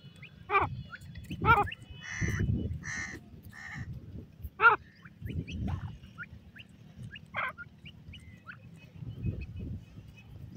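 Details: Female grey francolin (teetar) playing in a forest in Pakistan: a loose series of harsh, buzzy, harmonic notes spaced unevenly over about ten seconds, some short and clipped, over low rumbling background noise.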